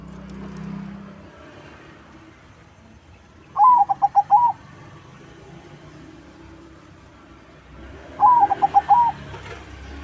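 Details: Zebra dove song used as a lure for other doves: two bursts of rapid, rolling coos near one pitch, a sharp opening note then four or five quick pulses and a longer closing coo, spaced about four seconds apart over faint background hum.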